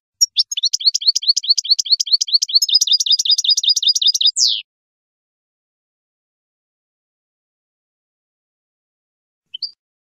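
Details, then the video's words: European goldfinch from Algeria singing khelwi-style song: about four seconds of rapid, regularly repeated high chirping notes in a dense trill, then silence broken by one brief high note near the end. "chant khelwi meknin algérien 2018 تغريد حسون جزائري"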